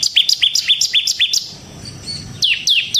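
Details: Bar-winged prinia 'gacor' song meant as a lure and training tutor: quick repeated high chirps with a brief pause, then more sharp descending notes; low murmuring background noise.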